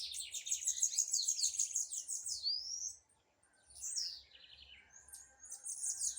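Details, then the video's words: Blue-black grassquit in a dispute, pouring out a rapid, high, buzzy chatter that ends in an upward slur, then a gap before a descending run of notes and further scattered high chirps. "tiziu na disputa"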